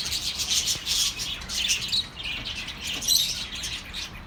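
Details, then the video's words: Birds chattering to comfort lonely pet birds: busy high-pitched twitters, loudest during the first two seconds, then softer overlapping chirps with a few sharp squeaks. "relaxing birds sounds for your lonely birds"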